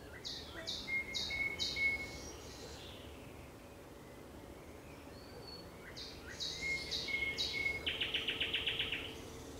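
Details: Song of a thrush nightingale at sunset, 30 May 2021: a bright high note repeated four or five times over a sustained whistle, a pause, then the phrase returns and ends in a rapid mechanical rattle of clicks.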